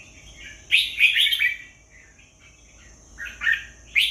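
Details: Red-whiskered bulbul song: a quick cluster of loud liquid, chattering notes, a pause, then another warbled phrase and a sharp closing note, with a constant thin electronic whine behind.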